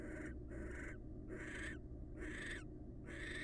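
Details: Two wild barn owls, pair bonding, overlapping hoarse screeching hisses in quick succession, some doubled, roughly once a second, over a low hum.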